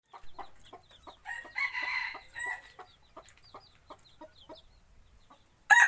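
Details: Decoy rooster kept for hunting trips into the forest: a run of short, spaced clucks and clipped notes, broken around the middle by one rich, harmonic crow lasting about a second, then a sudden loud burst at the very end.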